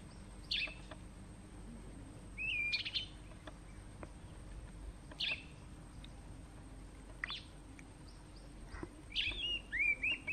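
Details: Kurrichane thrush at Letaba Rest Camp, Kruger National Park, giving short, high, thin whistled calls, some with a sharp upward flick, spaced every two to three seconds over a faint steady hum.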